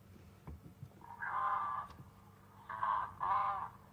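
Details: African spoonbill (Platalea alba), distinctive call played back after one was seen circling over a water hole on a May afternoon safari drive: three harsh, nasal croaks, one long and two shorter in quick succession, over a faint low rumble and clicks.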